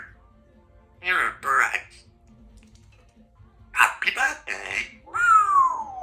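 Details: Female Congo African grey parrot kept as a pet in a country home, chatting indoors: short speech-like bursts of chattering syllables, a pause, then more word-like phrases ending in a clear falling whistle.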